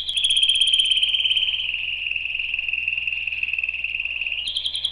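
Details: Canary song opens with a bright high trill, settles into an extended smooth roll that sinks gently in pitch, and ends with a quick rise into a few crisp, separated high notes.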